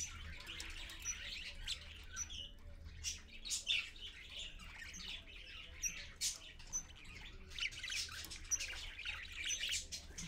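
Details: Parakeet parent and babies at 6:20 AM on 4.1.15, recorded on a live camera; quieter, busy scratchy chatter with scattered sharp chirps and high whistled notes, irregular throughout, over a low background hum.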